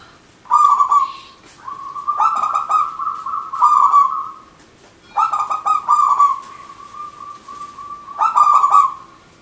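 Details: Local zebra dove (perkutut) in lively 'manggung' song meant to lure or stimulate doves that stopped singing: four stuttering coo phrases, each starting with rapid staccato notes and stretching into a level trill, spaced about two seconds apart.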